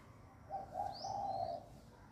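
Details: Cooing of a dove greeting the new day of the year, with doves calling near one another: a short burst of a clipped coo followed by a longer, steady rolling coo, clear against faint background hiss.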